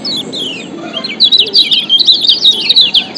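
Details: Lombok yellow white-eye (kecial kuning) song combination used as a lure to stir lazy birds into singing: rapid high twittering chirps and downslurred whistles, dense and continuous after a softer opening, with faint low background hum.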